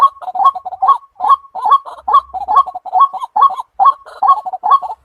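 A White-breasted waterhen gives loud, harsh croaking notes, repeated quickly and steadily about twice a second in a rhythmic, grunting series.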